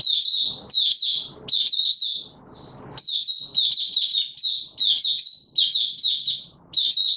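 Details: Opening song from a caged male white-eye being pushed on form, 31 December 2021: long run of bright, high twittering notes in rapid clusters with short breaks, faint low noise beneath.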